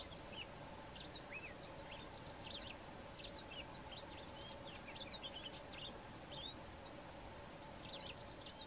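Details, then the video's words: White-throated canary singing long, continuous melodic song and shorter phrases: a quick, jumbled run of high chirps and short slurred whistles throughout, over a steady background hiss and low hum. "WHITE-THROATED CANARY singing"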